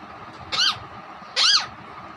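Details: Pet Alexandrine parakeet (raw parrot) that copies a hen, whistles and talks. Two loud, harsh, arched screeches come almost a second apart, each brief and rasping, over a quiet background.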